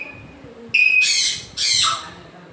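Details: A grey parrot (Psittacus erithacus) gives a short, clear high whistle that breaks into two harsh, raspy screeches, the second trailing downward.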